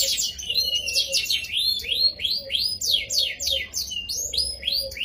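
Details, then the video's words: Indonesian kenari gacor canary in full song, played to prompt other canaries to sing along: a fast, continuous run of high sweeping whistled notes and trills, rising and falling several times a second without pause. "Suara Burung Kenari Gacor cengkok Merdu ampuh pancing kenari ikut bunyi"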